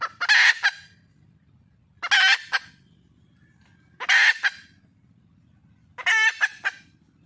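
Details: Red junglefowl hen calling for a mate in the wild: four loud, raspy calls evenly spaced about two seconds apart over a soft low hum.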